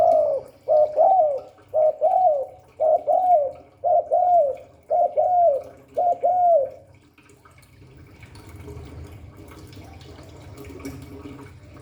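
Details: Spotted dove delivering a rapid series of about eight hooked, mellow low coos, nearly one per second, then falling silent. Soft room noise fills the last seconds. The song is in the Hạp Bổi style.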